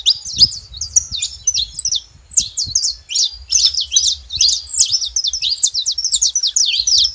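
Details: Noisy saffron finch at a feeder in Brazil, delivering lively high chirps and twittering whistles in rapid clusters, briefly pausing mid-way before resuming a dense chattering run.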